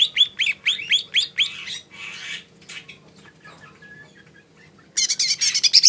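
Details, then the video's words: Lesser green leafbird opening with six quick sharp rising chirps, followed by softer scratchy sounds and quiet, then a sudden loud hissing, rattling high burst at the end. "Suara burung cucak ijo mini"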